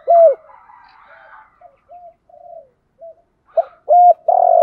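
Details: A loud coo opens the recording of spotted doves, male and female, calling to attract rival birds for fighting. Faint chattering and soft low hoots follow, then rising loud coos with a long sustained note to finish.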